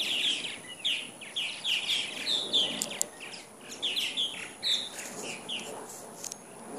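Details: About 75 purple martins gathered in the morning in Katy, Texas, 2014, shortly before migrating back to Brazil; dense, lively chattering of bright rising and falling chirps, many birds calling over one another almost continuously, a couple of brief clicks.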